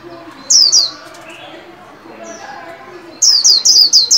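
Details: Trained caged white-eye in líu song, welcoming new year 2021: a pair of bright, falling, high chirps, faint softer notes in between, then a quick string of five sharp chirps.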